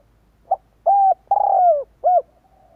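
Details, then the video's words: Calling spotted dove, a lure for bringing wild doves in: one quick soft note followed by a steady coo, a drawn-out coo that sags in pitch at its end, and a closing short coo. "Chim cu gáy kích bổi nhanh nổi hiệu quả"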